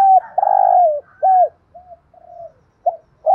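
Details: Spotted dove with a fine voice, used to train decoy birds to coo along: loud, low hoarse coos, one long and one short down-curved note, followed by fainter softer coo fragments.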